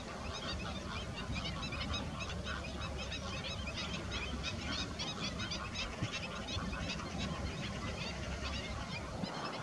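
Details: A flock of greater flamingos keeps up a dense, goose-like chorus of nasal honks that overlap without pause, over a steady low rumble of wind.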